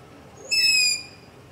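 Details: Long-eared owl heard after dark close to a house, gives one sharp, high, wheezy squeak lasting about half a second, level in pitch. Captured on a ZOOM H5 recorder with a LOM Usi Pro microphone.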